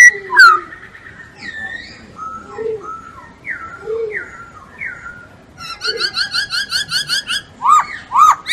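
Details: Masked laughingthrush (Poksay Hongkong) in full song, giving a varied run of clear whistled notes: slurred falling phrases, then rapid rhythmic high chirps and two loud rising whistles near the end.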